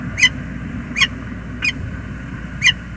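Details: Male peregrine falcon at James River Bridge, USA, morning of 19 November 2021, calling after returning from two days away: four harsh, sharp notes at uneven intervals, with a steady low background hum.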